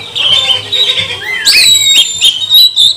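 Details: Magpie-robin song meant to rouse rival birds: overlapping whistles and chatter, then a loud rising sweep into a high held note and short sharp calls, over a faint steady low hum.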